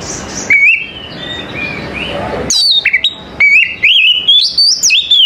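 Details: Morning song of an Oriental magpie-robin, opening with soft distant warbles and then a loud stretch of bright whistles that twist and rise in short bursts.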